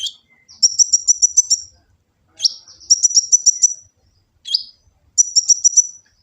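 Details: Full-filler song of an olive-backed sunbird from Gresik, East Java, phone-recorded as a training master: rapid high metallic trills of six to seven notes, each opened by a sharp downslurred chip, repeated every two seconds.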